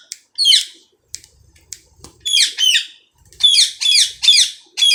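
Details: Indian ringneck parrot, a tame household talking bird. It gives harsh, raspy squawks, often in pairs, with brief pauses, and a tight series of four near the end. The calls are loud and grating against a quiet room.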